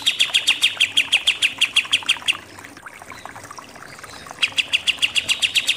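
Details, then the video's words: Rapid-fire 'nembak' song of a pied triller (kapas tembak): a quick series of crisp repeated notes lasting over two seconds, a short quiet gap, then the same sharp series starting again. "KAPAS TEMBAK SUPER NEMBAK-NEMBAK"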